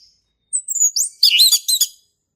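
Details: Male orange-headed thrush, described as a wild forest bird, singing in a lively, continuous style: high whistled notes slide down, then a rapid varied warbling phrase with rising and falling twists, all clean with no background noise.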